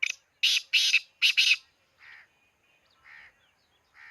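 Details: Harsh, loud black francolin call opening with a cluster of rasping broadband bursts, followed by three softer nasal notes spaced roughly a second apart, with quiet surroundings.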